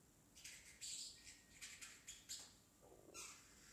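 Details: Young pet parrotlet, still a baby, attempting to talk indoors: a run of short, scratchy, high-pitched chirps and squawky syllables in quick bursts, with a lower rasping note near the end.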